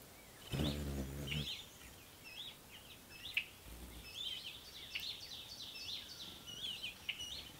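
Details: Several ruby-throated hummingbirds fighting over feeders give a steady stream of thin, high, wavering chip notes in quick irregular series, with a brief low, droning dog-like whine near the start.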